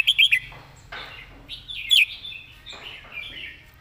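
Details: A red-whiskered bulbul kept in a cage sings its clear master song, opening with three fast, bright whistles, then softer warbles and one more sharp whistled note.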